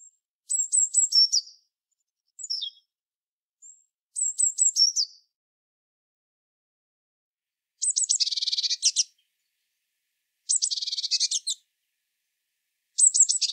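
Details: Eurasian blue tit song: very high, thin whistled notes in quick falling phrases, then dense buzzy trills about a second long, with each phrase repeated after short pauses and no other sounds.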